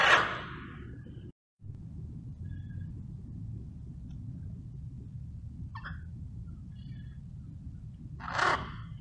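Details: Blue-and-yellow macaws from a wild flock resting and bonding: a loud harsh squawk at the start, a brief rasp midway and another raucous squawk near the end, over steady low rumbling noise.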